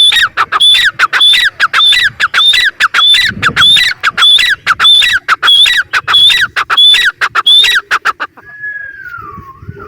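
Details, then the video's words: Grey francolin calling: loud, harsh, high-pitched notes in a rapid, steady series of about one and a half per second, ending with a brief drawn-out whistled tone. "teetar ki boli | teetar ki awaaz | francolin voice | Partridge sound"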